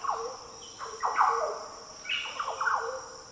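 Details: Fluty, liquid song of a Green oriole in the Daintree rainforest, northern Australia: short rich notes with sliding falls, two quick clusters of phrases, while insects drone steadily in the background.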